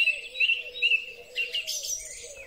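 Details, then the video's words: Song thrush singing in spring, recorded with a Huawei P30 Pro: one whistled note repeated three times about every half second, then softer scratchy notes, over a low droning hum. "Drozd Śpiewak. Wiosenny koncert ptaków."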